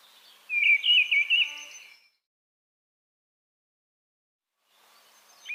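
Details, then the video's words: One loud whistled, warbling phrase from a Mistle thrush lasting about one and a half seconds, followed by a long silence and a faint start of another note at the very end. "Голоса птиц: деряба"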